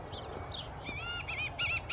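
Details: Adult White-tailed Hawk at the equestrian club of Zamorano University, Francisco Morazán, Honduras, 13 December 2017: a quick run of clear, nasal, arched notes in the second half, over a steady high insect hum.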